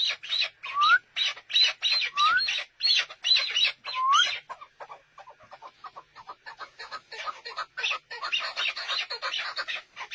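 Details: Chukar partridge giving a long, dense series of rough clucking notes, with several short rising whistled slurs early on, then a faster, quieter chatter of chuck notes.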